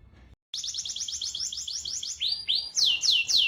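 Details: Canary singing in the rolling style, used to lure silent canaries into song: after a brief pause, a quick train of high chirped notes, then loud swooping downward slurred whistles.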